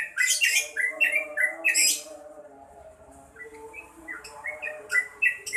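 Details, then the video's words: Yellow-vented bulbul singing actively: a fast run of short, bubbly, slurred notes, some rising and some falling, with sharp clicks between them, then a quieter stretch of softer notes under a steady low hum. "SUARA BURUNG TRUCUKAN GACOR"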